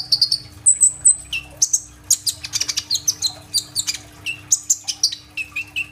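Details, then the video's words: Kolibri ninja sunbird singing hard in a mixed, fill-in style, recorded on an Oppo A37f: thin high whistles and dense crisp chirps in rapid rhythmic bursts, some notes dropping lower near the end. "BURUNG KOLIBRI NINJA GACOR FULL TEMBAKAN ISIAN ROLL TEMBAK"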